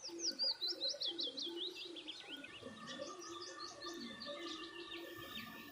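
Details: Birds chirping while eating food: quick, high, slurred chirps tumble together at first, then fade into softer scattered twitters over a low murmur of other calls.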